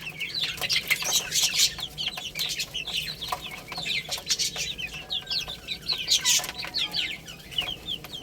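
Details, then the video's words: Little chicks playing and eating produce a constant, overlapping chorus of shrill falling peeps, with pecking taps and scratching mixed in. "Cute Little Chicks Chirping Sounds| Baby Chicken Playing and Eating"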